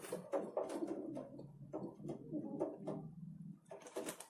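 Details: Pigeons at a city feeder in winter, Ukraine, jostling over food; steady low throaty cooing repeated rapidly through the recording, with sharp bursts of wing clatter at the start and end.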